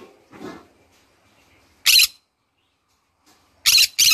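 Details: Pet green-cheeked conure in the morning giving short, harsh, raspy screeches: one burst, then a quick double burst about two seconds later, with a soft low murmur near the start and quiet pauses between.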